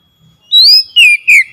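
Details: Oriental magpie-robin, its song used to provoke a silent bird into singing: three loud, clear whistles, the first rising high, the next two falling, in quick sequence.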